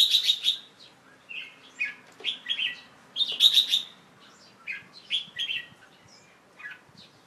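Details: Young Red-whiskered Bulbul singing in its cage late on the afternoon of 1 January 2012 after a bath; clear, high whistled phrases of two to four notes repeated with short gaps.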